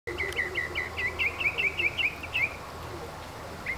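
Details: Red-billed streamertail giving a quick series of sharp, high chirps, about a dozen in two and a half seconds, then one last isolated chip after a pause, over a steady low background hum.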